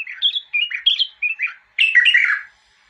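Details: Bulbul delivering a string of rapid, mellow whistled notes in short phrases, then a fuller chattering warble after a brief pause before falling silent.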